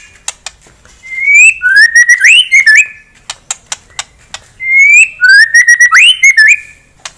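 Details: Rival-provoking white-rumped shama song: a clear, sweet whistled phrase with rising and falling slurs, sung twice in nearly the same form, with sharp clicks between the phrases.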